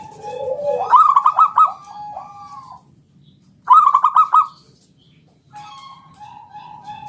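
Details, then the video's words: Local Indonesian zebra dove singing in the style called ngalun with a round 'kung' ending, used as a lure to get other doves calling: rapid rolling trilled bursts at about 1 and 3.7 seconds, with soft lower coos before and after. "Suara NGALUN Kung Bulat - Perkutut lokal gacor Pancingan"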